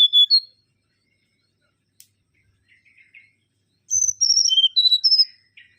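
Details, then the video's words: Mangrove whistler song. It opens with two bright whistles, pauses, gives a few soft low notes, then delivers a quick series of loud clear whistles that drop and waver in pitch. The background is otherwise silent. "Kancilan Bakau Gacor"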